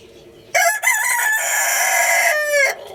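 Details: Rooster crowing as a good-morning call, one loud harmonic crow about two seconds long, held level then dropping at the end, with quiet background before it.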